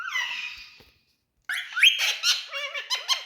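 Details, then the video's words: Adult male Indian ringneck parakeet indoors: a long, smooth, whistled note fades out. After a second of silence comes a burst of rising squeaks and wavering, warbled chatter. "Indian🌶Talking Parrots"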